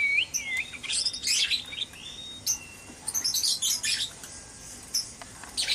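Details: White-rumped shamas in a breeding cage at dawn, singing noisily: clear whistled slurs and rising notes, then dense bursts of high, sharp chips and trills in quick clusters with short gaps between them.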